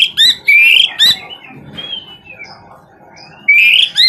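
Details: Oriental magpie-robin with loud sweet whistled phrases, rising and falling slurs, a softer drawn-out whistle in the middle, then a strong rising note to finish.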